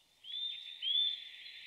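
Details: Eurasian nuthatch song: two drawn-out, high, clear whistled notes, each rising slightly, the second louder, followed by a fainter trailing whistle against a quiet background.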